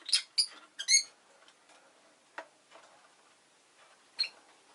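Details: Rosy-faced lovebird giving four quick, sharp, high chirps within the first second, then a few scattered faint clicks and one more chirp after a long gap; quiet street noise may be in the background.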